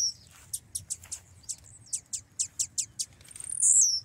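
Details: A caged male blue-black grassquit, a fighting contest bird, gives about a dozen sharp, very high chips at an uneven pace, ending in a thin buzzy trill, over a low background rumble.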